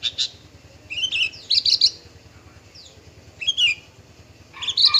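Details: Male bushlark, form parva, giving scattered short bursts of scratchy, buzzy high notes and brief chirps separated by pauses, with a low steady hum in the background.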